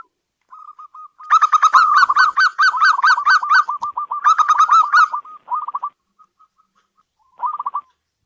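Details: Zebra dove of a local strain, kept indoors and valued as a luck bringer, giving quick staccato cooing notes that build into a loud rolling burst, then fade into soft spaced coos.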